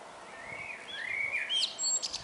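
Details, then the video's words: Morning song of a common blackbird: a low, slurred, warbling phrase that ends in squeaky, high twittered notes, heard against constant background hiss. "ΠΡΩΙΝΟΙ ΗΧΟΙ ΚΑΙ ΤΟ ΤΡΑΓΟΥΔΙ ΤΟΥ ΚΟΤΣΥΦΑ!!"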